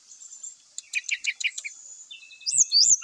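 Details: Grey-chested jungle flycatcher giving a run of rapid buzzy clicking notes, then high looping whistled phrases at the end.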